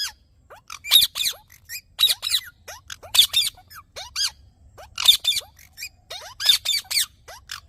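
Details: Green parrot screeching in paired, grating bursts roughly once a second, each followed by thin descending whistles, giving a steady rhythmic chatter.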